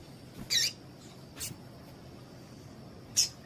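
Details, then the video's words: Female Double-collared Seedeater calling to get a male singing. A loud high chip, a fainter one, then a sharp final chip, over a background hiss and a thin constant whine. "Piado de Fêmea de Coleiro Com Piado de Fêmea de Coleiro Quente para Esquentar Coleiro tui tui"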